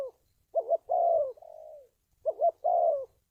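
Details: Spotted dove call, a recording used to train decoy birds and lure wild doves for trapping: low hoarse coos, a quick two-pulse note followed by a longer drawn-out falling coo, repeated twice with a soft trailing note between.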